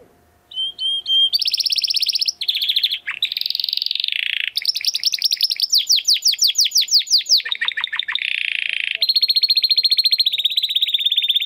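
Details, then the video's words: Caged Timbrado Español canary male from rated parents, bred 2020, giving a training song of continuous rolling trills, buzzy water-like tours and fast sweeping downslurs, each phrase changing every second or two. "Your Canary will sing immediately - meet Mr. Six ! - Canary 's Training Song"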